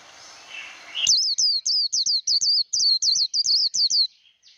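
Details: 'Líu đấu' fighting song of a Japanese white-eye for training a wild-caught bird: after a second of soft hiss, a steady string of about twelve high, bright, dipping whistles delivered quickly.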